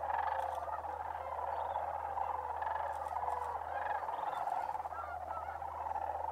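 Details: Sandhill cranes on migration, December, Bosque del Apache Wildlife Refuge in New Mexico: many birds calling at once in a thick, trilling wall of sound, with short clicks and a droning low hum throughout.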